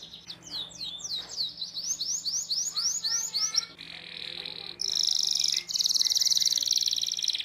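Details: Canary song for training young canaries: a series of rising whistled notes roughly four per second, then loud sustained buzzing trills at the end.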